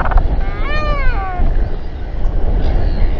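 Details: Royal albatross in New Zealand during a stressful group gathering and fight, recorded by a nest camera at 7:42 pm on 27 January 2021; one drawn-out, moaning harmonic wail that bends downward, over steady low wind rumble.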